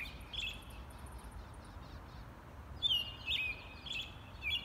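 An American robin sings short, clear, slurred whistled phrases, rising and falling, a few each second, softer at first and then louder, over a low background hum.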